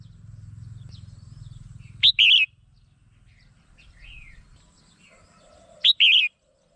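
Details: Two loud, bright, slurred whistled phrases from a red-whiskered bulbul, used as a trapping lure, about four seconds apart, with quieter chirps in the gap and a low background hum early on.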